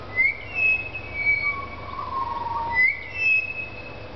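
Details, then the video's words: Butcherbird singing in a tree in the afternoon after being fed, with a young bird also singing nearby and a noisy miner present: long, pure whistled notes, some high and sliding, others lower and drawn out, over a low steady hum. "Our butcherbirds were singing."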